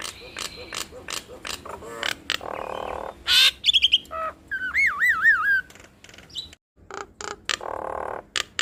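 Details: Duetting Nias hill mynas mix clicks, rasping squawks, and short whistles, then a loud wavering whistle that rolls up and down, before more scattered harsh notes.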